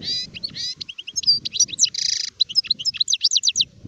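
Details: Adult European goldfinch, called sharef, recorded in 2019, singing a rapid varied song of high twittering notes, slurred whistles and a buzzy nasal trill, with faint low rumbling beneath.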